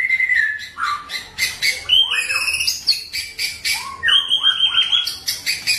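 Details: In the wild at Bahorok, a white-rumped shama gives short clear whistled notes mixed with sharp clicky accents, quick varied phrases repeated in bursts about twice a second.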